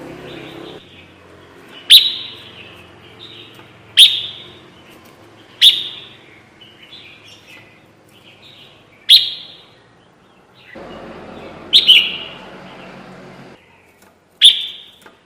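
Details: Red-whiskered bulbul lure for trapping: single sharp, clicky chirps with a brief falling tail, repeated every two to three seconds, seven in all, with a faint low rumble at times.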